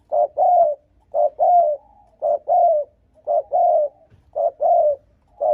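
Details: Spotted dove cooing to provoke and lure rival males: paired coos, a short note followed by a longer, slightly falling hollow note, repeated about once a second, five times in steady rhythm, with a quiet background.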